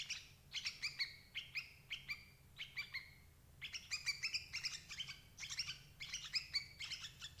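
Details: Sooty-headed bulbul calls used to lure and trap adult birds: spaced, slightly downslurred ringing chirps, followed by a quicker, busier stretch of overlapping chattery notes.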